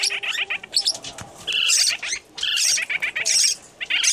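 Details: Hand-fed baby lineolated parakeet begging from a baby yellow parrotlet right after a feeding gives rapid, harsh, high chattering begging calls in bursts of about a second, separated by brief pauses.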